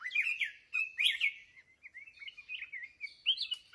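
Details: Wild-matured adult red-whiskered bulbul from Ho Chi Minh City, Vietnam, noted for its good voice, sings short rich whistled phrases that rise and fall, a loud burst at first, then a run of softer chattering notes.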